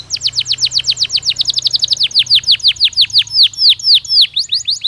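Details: Canary singing, intended to prepare birds for the breeding season: a continuous trill of repeated high downward-sweeping notes, fast at first, then slowing to roughly two notes per second, over faint low hum.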